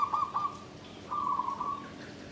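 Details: Zebra dove in a bamboo cage, song style Klabang Kapipit and Tumpang Sari (klarr kete kuk kuk). A brief stuttered coo ends, then a smooth rolling low trill of nearly a second follows.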